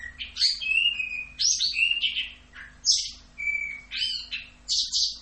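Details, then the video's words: Orange-headed thrush song in 'rock'n roll' style, loud mellow whistled phrases with long level and downslurred notes alternating with rough buzzy bursts, delivered in spaced phrases over a faint low hum. "MASTERAN ANIS KEMBANG FULL Rock'n Roll"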